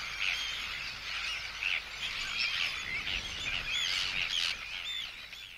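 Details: Close-up Arctic tern anxiety and threat calls at an intruder: dense, harsh, overlapping cries from several birds, with brighter repeated notes standing out through the middle.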